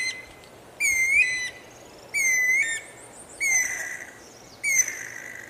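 Guira cuckoo giving loud, shrill whistled phrases with rising and falling notes, four bursts about every 1.3 seconds.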